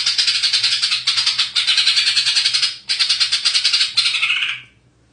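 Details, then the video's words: A greater green leafbird (cucak ijo) pours out a fast, continuous run of high, rattling chattered notes, with short breaks, for about four and a half seconds. "CAK IJO JUARA MATERINYA MEWAH"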